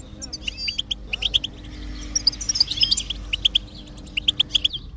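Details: Goldfinch song played to get a silent goldfinch singing: paired, bright high chirps repeated at intervals with a short rising twittered run in the middle, over a faint low hum.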